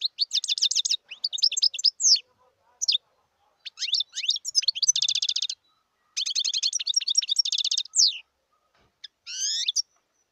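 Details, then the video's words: A wild European goldfinch sings in bursts during 2018. Each burst is a liquid twittering phrase of quick chirps and dense rattling trills, separated by short silences. A rising slurred note closes the passage. "صوت الحسون البري"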